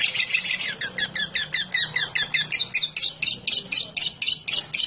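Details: Lovebird song of repeated squeaky, buzzy bursts, roughly four per second, steady and bright throughout, with a soft low hum behind.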